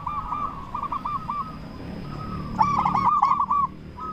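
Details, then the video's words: Local zebra dove calling loudly as a lure to draw replies from other zebra doves; soft rolling coos run in the background, then a loud burst of quick bubbling notes and a brief faint coo after. "Perkutut Lokal Gacor SUARA BESAR Ahlinya Bikin Semua Burung Perkutut Langsung Nyaut"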